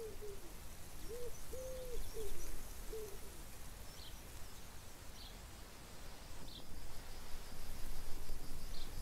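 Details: Chukar partridge giving a brief series of arched, clucking mid-pitched notes in the first three seconds, then quiet rustling background with faint distant high chirps.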